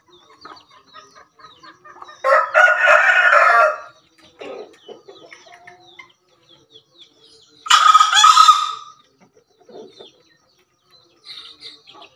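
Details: Green junglefowl from Java crowing in the 'gacor terasan' style: two harsh, raspy crows about five seconds apart, with soft clucks and scattered short clicking notes between them.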